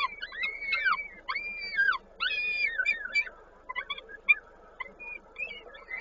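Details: Peregrine falcon during feeding at a nest in Koszalin, Poland, 19 May 2022. A string of loud, high, wavering whines and squeals, some rising then falling, with clipped chips toward the end and faint hum underneath.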